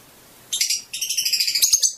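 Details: Fischer's lovebird mating song: after half a second of quiet, a fast, rhythmic high chatter of pulsed squeaks runs to the end.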